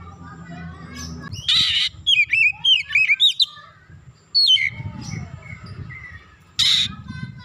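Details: Oriental magpie-robin singing in a warm-up session meant to heighten aggression: a quick run of sharp, wavering whistled notes, then a longer slurred phrase, broken by harsh noisy bursts and low background rumble.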